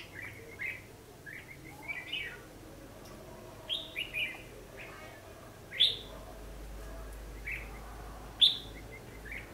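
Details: Red-whiskered bulbul fighting song used as a trapping lure: short whistled notes and louder, sharply rising phrases spaced a few seconds apart, with a low hum in the background.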